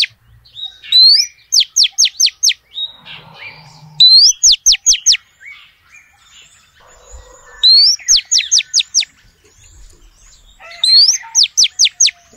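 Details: A female oriental magpie-robin calls to males. Four phrases come about every three and a half seconds. Each has a loud upslurred whistle followed by four or five sharp, steeply falling notes, with quiet gaps between.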